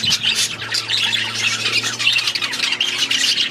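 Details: Aviary budgerigars chatter loudly together, harsh squawks mixed with quick whistled chirps in a dense, unbroken stream over a low steady hum.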